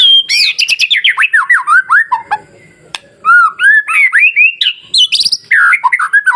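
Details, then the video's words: Masteran song of a white-rumped shama to provoke other shamas into singing: nearly continuous rich warbling, rapid up-and-down whistled notes and mimicked-sounding phrases, with a brief pause midway. "SUARA MASTERAN KICAU MURAIBATU Pancing Murai Lain yang Takut Jadi Emosi dan gacor"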